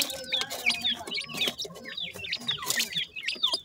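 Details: Freshly hatched grey francolin chicks call to their mother with a rapid stream of high, slurred peeps from several birds at once. Frequent sharp clicks and tapping noises are mixed in.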